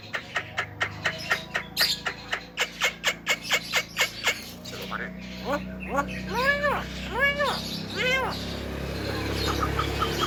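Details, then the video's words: A Javan myna that can talk, in a recording used to provoke other mynas: a steady volley of sharp clicking notes about three a second, then speech-like arched syllables over a low background hum. "PANCINGAN SUARA KHAS JALAK KEBO PANDAI BICARA BIKIN JALAK LAIN EMOSI"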